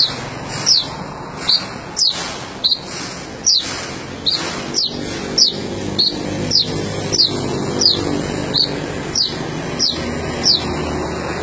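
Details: Sogon bird calling actively: a short, high, sharply descending note repeated roughly every second, over a steady background of dense noise.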